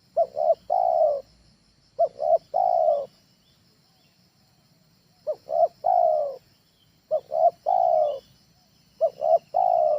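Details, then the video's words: Lure call from a trained spotted dove for home use, low mellow phrases of two short coos and a longer falling note, repeated about every two to three seconds in bursts, faint high hum behind. "SUARA TEKUKUR AJARAN, SANGAT COCOK UNTUK PANCINGAN DI RUMAH"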